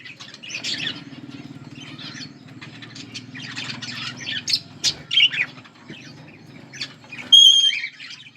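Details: Two budgerigars chirping and chattering in short squeaky bursts, ending with a clear whistled note, over a faint low steady hum.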